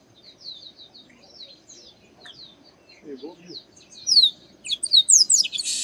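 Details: Song of a chestnut-capped blackbird in the sertão of Bahia, Brazil: soft, scattered, high chirping builds into loud, sharply falling whistles and quick notes, ending in a raspy buzz.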